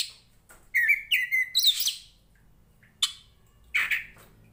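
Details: A poci Tretes Oriental magpie-robin, a fighting bird singing to train others, gives a short run of clear whistles and warbles, then falls mostly quiet with only a few sharp, harsh single notes.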